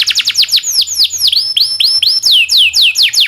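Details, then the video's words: Actively singing domestic canary giving master song for training other canaries: a run of quick descending whistled sweeps, about two per second, broken by a few long rising slurs. "SUARA BURUNG kenari gacor cuit cuit ngerol panjang ini buat MASTERAN KENARI"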